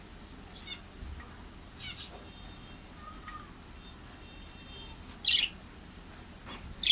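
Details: Budgerigars playing with a bough give scattered high chirps and a few brief chattering bursts over soft rustling.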